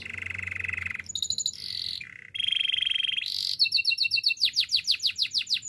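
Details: Spanish Timbrado canary singing a training song: a low rolling trill, a bright high burst, short buzzy phrases and metallic tones, ending in fast pulsed notes repeated steadily.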